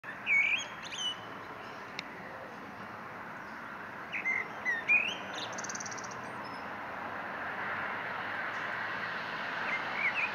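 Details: Eurasian blackbird singing: mellow whistled phrases that rise and fall, each ending in a high squeaky twitter, in two bursts about four seconds apart over a steady broadband rushing noise.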